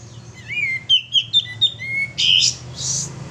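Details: Male sooty-headed bulbul lure song: a rising whistle, four quick sharp chirps, a further upslurred whistle, then two harsh noisy bursts, with soft low background hum.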